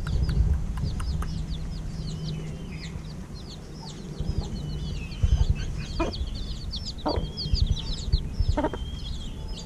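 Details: Chicks just over a week old at evening feeding peep constantly in high, thin, overlapping chirps, with a few low clucks and knocking sounds beneath.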